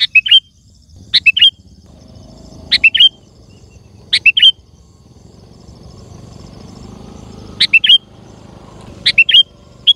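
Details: Sooty-headed bulbul song for luring wild birds in forest and garden. Brief bright whistled phrases repeat steadily about every one and a half seconds over a low background rumble, possibly traffic.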